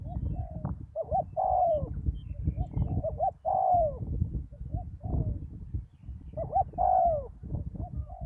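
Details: Spotted dove decoy at a ground-level site after a storm, calling repeatedly: several short-long-short coo phrases, each long note hoarse and falling, spaced about two to three seconds apart, with low background noise.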